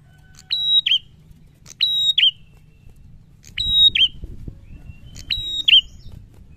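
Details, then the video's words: Loud, challenging prinia song: four evenly repeated phrases of a clicked onset, a level piercing whistle and a falling flick at the end, with faint low rumble beneath. "SUARA PRENJAK GACOR LANTANG MENANTANG"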